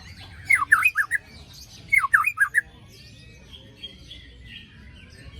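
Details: White-rumped shama singing to coax birds mute after moult. It gives two identical loud bursts of rapid dropping whistles with rasping edges, then quieter wavering whistles fading into a soft hum.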